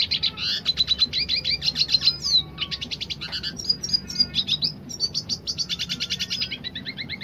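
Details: Energetic song of a dilute red siskin in the roll tembak type: dense chattering trills mixed with thin high whistles and quick slurred notes, flowing almost continuously with short breaks.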